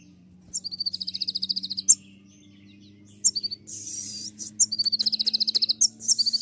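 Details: Purple-throated sunbird (kolibri ninja) in the "tembakan" style, used as a tutor recording for caged birds: two bursts of very high, rapid, evenly pulsed metallic trills lasting over a second each, with a brief hissy rasp between them.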